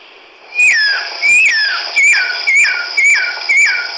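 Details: Chestnut-backed laughingthrush recorded 17 March 2010 in Hukaung Valley, Kachin State, Myanmar: a loud series of clear whistled notes, each sliding steeply downward, repeated about twice a second over a faint steady high hiss.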